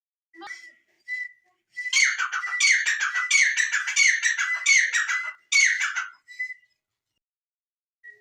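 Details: Francolin calling: a few soft clipped notes, then a sustained run of harsh, rasping, scratchy bursts repeated about once every 0.7 seconds, each over a thin steady whistled tone, then trailing off into short notes and quiet.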